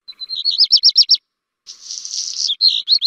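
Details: Black redstart song: a quick, rolling, high warbled trill, a short pause, then a hissing, crackling buzz that ends in a few looping whistled notes; clean recording.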